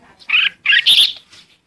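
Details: Red-whiskered bulbul calling the flock: a quick burst of three loud, bright chirping notes, the last one higher and warbled.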